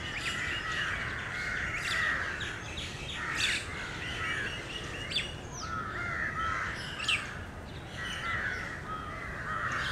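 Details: Crows gathered under a tree in Lalbagh Park, Bangalore, Karnataka, noisy while being fed grain; a dense chorus of harsh overlapping caws rising and falling in bursts, sharp higher chirps scattered through, continuous outdoor hum beneath.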